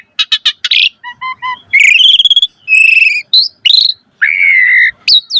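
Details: Asian pied starling giving a full-variation 'mompa' song. Starts with a burst of clicks, then soft low whistles, a fast rattling trill, buzzy notes and a long steady whistled tone.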